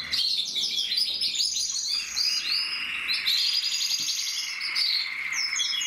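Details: Gloster canary delivering fast chopped trills and chattering rolls, the song running unbroken with small swells in volume and a faint click partway through.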